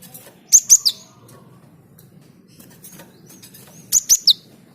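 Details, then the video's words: Java sparrow singing briskly to set other birds singing: two matching phrases of three piercing high notes, each falling slightly at the end, about three and a half seconds apart, with light rustling between. "Gelatik gacor perangsang burung lain ikut gacor"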